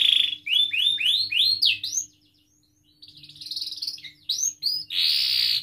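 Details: Canary in full song, used to prompt young and silent canaries to sing. A series of rising then falling whistled sweeps leads into a short pause, then softer rattling notes, quick chirps and a loud harsh buzz at the end.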